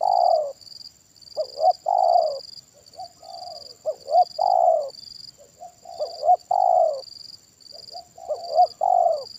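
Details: Spotted dove, a decoy bird in a trapping session, with a loud kuk satu voice. Repeated deep coo phrases, each made of short rising hoots and a long drawn, downslurred coo, come about every two seconds. Softer coos lie between them, over a continuous high insect buzz.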